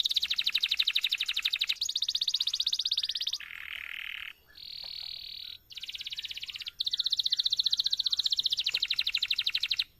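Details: Canary in long, nonstop song used to train other canaries: rapid pulsing trills alternating with lower and higher buzzy rolls, each held for one to three seconds.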